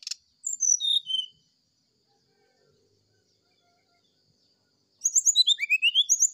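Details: Brown-chested jungle flycatcher giving a flute-like sulingan song in the morning. A click is followed by falling whistled notes, then silence for several seconds, then a lively rising series of slurred high whistles.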